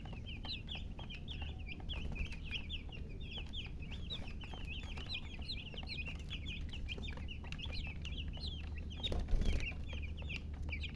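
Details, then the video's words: Chicks chirping nonstop: many quick, shrill, falling peeps stacked in an unbroken chorus, with a constant low-pitched hum underneath and a brief thump near the end. "silly chicken chirping sounds"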